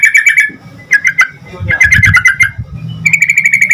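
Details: Energetic yellow-vented bulbul song intended to make other bulbuls respond: clusters of buzzy chattering notes, then an even, steady rattle at the end, with a low murmur behind.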